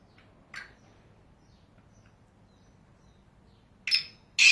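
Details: Black francolin (Francolinus francolinus) in its natural habitat in Pakistan gives three short, harsh, scratchy notes, one early and two close together at the end, the last the loudest, over a low background hum.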